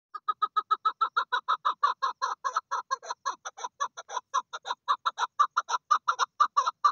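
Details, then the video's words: Female Chukar partridge calling: a steady, rapid series of harsh, clucking chuk notes, about two per second, running without pause throughout. "Female Chukar Calling"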